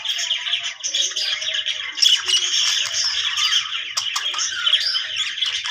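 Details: Happy budgie chattering steadily: a rich mix of scratchy squawks, clicks and high squeaky chirps that runs without pause, occasionally punctuated by sharp ticking notes.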